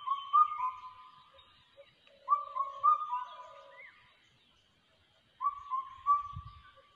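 A changeable hawk-eagle chick gives shrill, level whistles in quick runs of two or three, pausing a second or two between bursts.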